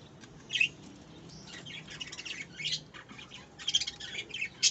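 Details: Budgerigar chicks in November give bursts of high, scratchy chirps and squeaky calls.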